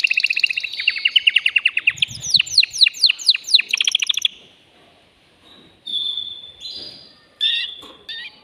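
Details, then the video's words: Male canary, caged and excited, singing to arouse a female for breeding: a fast rhythmic trill of sharp downward-sweeping notes, then quieter spaced high whistles after a short lull. "تغريد ذكر كناري هائج يريد تكسير القفص يحفز الأنثي لتزاوج"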